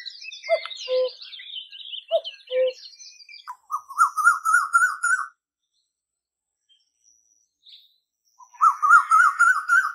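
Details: Asian koel, whose song signals the onset of spring, gives a quick series of whistled notes that climb steadily in pitch, twice, after higher chirps and twitters from other birds.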